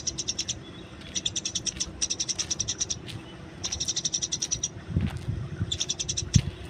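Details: Wild Eurasian tree sparrow in a fight, with short bursts of rapid, high chirping separated by pauses and a few low thumps in the background.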